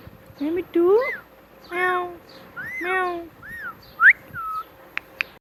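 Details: Pet parrot repeating "Mitthu Mitthu": rising voiced syllables, then two longer arched voice-like calls, followed by short whistled slurs and sharp clicks.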